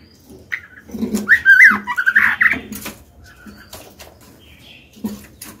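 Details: Caged female white-rumped shama singing to provoke males: one burst of rich, warbling whistled notes lasting about two seconds, then scattered clicks and a soft high whistle near the end.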